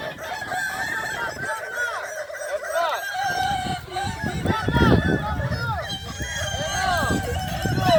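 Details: Boko-class final of a Kukuak Balenggek rooster crowing competition at a Solok dairy farm; many birds crow in overlapping, bending phrases for eight seconds while a crowd murmurs underneath.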